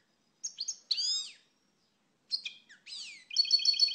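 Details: European goldfinch (pintassilgo português) giving short groups of high chirps and slurred, descending notes, ending in a quick run of bright, repeated tinkling notes.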